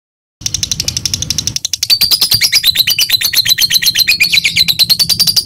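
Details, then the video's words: Lovebird giving its long 'ngekek' chatter, played as a training tutor: after a brief silence and low murmur, a fast, high, shrill string of sharp notes, about three per second, swelling into a continuous buzzy trill. "Masteran/Pancingan burung lovebir biar bisa ngekek panjang"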